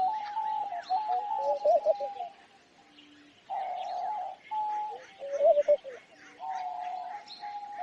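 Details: Homing pigeon calling in long steady tones broken by bursts of quavering coos, several times across the clip, amid continuous high-pitched chirps of other birds.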